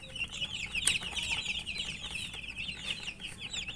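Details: Many chicken chicks peeping while they eat, a dense wash of thin, high, falling chirps with one sharp click near the start.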